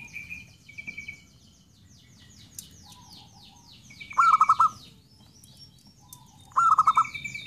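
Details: Zebra dove giving two loud, rapid pulsed coos, set against steady high-pitched chattering and trilling from other small birds.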